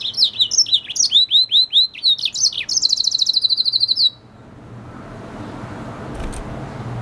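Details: Red siskin crossed with canary, an F1 hybrid, sings a lively high phrase: a run of twittering, downward-swept notes that speeds into a rapid buzzy trill, then stops, leaving low background hum.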